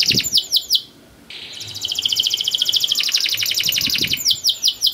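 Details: Canary masteran song meant to make young canaries sing: looping downslurred notes, a short pause, a held whistle, then a long rapid rolling trill and more looping notes; faint low knocks in the background.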